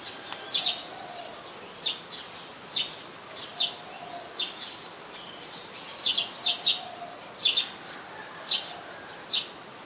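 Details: Streak-eared Bulbul in Ubon Ratchathani, Thailand, on 4 February 2020, where it is a very common resident: loud clipped high notes given singly or in quick pairs and triplets, spaced roughly every second, with soft low rumbling behind.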